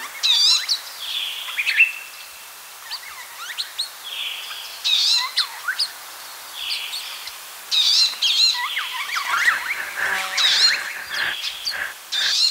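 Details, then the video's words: Palestine sunbird with high, quick warbling bursts and rippling trills, given in uneven clusters separated by pauses. Fainter clicks and rustling show up toward the end. "Glimpse of the Palestine Sunbird | Beautiful Chirps & Songs"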